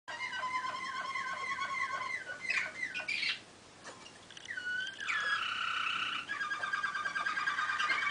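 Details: Malinois waterslager canary singing, recorded 2013: rolling, bubbling trills with stacked tones that shift between low and higher pitches, a short pause near the middle, then a sustained higher tremolo to the end.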